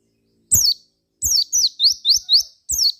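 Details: ['Javan white-eye song to stir other white-eyes into singing: a lone high chirp, then a run of down-slurred notes turning into four fast rising flicks, ending with another falling chirp.']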